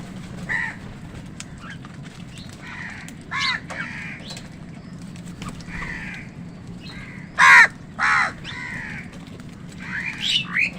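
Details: Several short, scattered harsh caws from crows competing with wild birds for food, mostly faint, with two louder calls near the end over a constant low hum.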